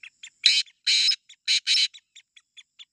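A grey francolin gives loud, harsh, shrill bursts, three long grating notes mixed with short sharp chips, all within three seconds; nothing else is heard.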